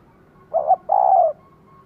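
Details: Female spotted dove calling to stimulate a male: a short wavering coo followed by a longer, rough, rolling coo, in a quiet setting.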